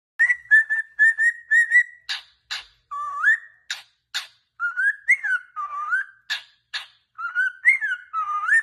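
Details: Tamed pet cockatiel singing: a run of short, even whistles at steady pitch, then slurred whistles rising and falling, mixed with sharp clicking chirps, about two notes per second.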